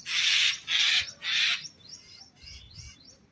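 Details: During a fight with a snake, a myna gives three loud, harsh rasping screeches about half a second apart, followed by a few faint, thin chirps. Myna.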